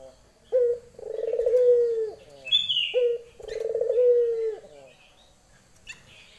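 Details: Female Barbary dove calling for a male: two cycles of a clipped note followed by a long vibrating coo that falls away at the end, with a faint high chirp between them.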